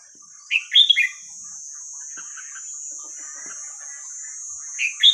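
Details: Hua krok khayao khuat song of a Red-whiskered bulbul, played to train young birds: a lively burst of warbled, whistled notes early on, soft twittering in between, and a fresh phrase starting at the end, under a persistent high electronic tone.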